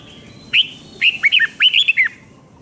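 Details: Red-whiskered bulbul singing for young birds to copy, a five-syllable doubled song: a sharp upswept whistle followed by two quick groups of warbling, bouncing notes.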